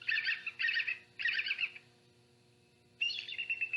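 Bald Eagle giving three quick bursts of high, chittering squeaky notes, then a thinner squealing phrase after a pause, played back over a low hum.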